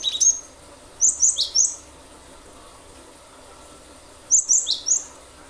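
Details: Cinereous tit (gelatik batu) in full song, meant to coax other birds into singing. It gives a brief high note, then two phrases of four descending whistled notes each, separated by a pause of nearly three seconds.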